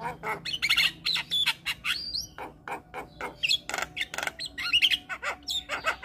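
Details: Javan myna singing to stir other mynas: a jumble of harsh squawks, sharp clicks, and short rising and falling whistles in quick irregular bursts, with a faint low hum behind.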